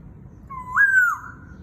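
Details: White-browed laughingthrush giving a gentle crowing imitation of a rooster while guiding a young bird: one drawn-out whistle, low at first, jumping up, holding, then sliding down and fading.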